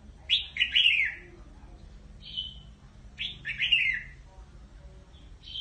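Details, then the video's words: Red-whiskered bulbul calling its flock: bright chirpy phrases of slurred notes falling from high to mid pitch, given in two bursts about three seconds apart with a short softer note between, over a quiet low hum. "chào mào gọi bầy"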